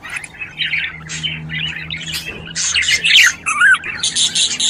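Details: Budgerigars chatter in a busy, scratchy warble of squawks and quick whistled chirps.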